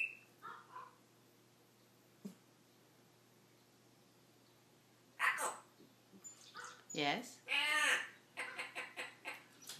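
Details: A 14-year-old pet African grey parrot mimics indoors: scattered short calls, then a busy run of harmonic, voice-like phrases with bending, meow-like sweeps, while a person talks to the bird nearby.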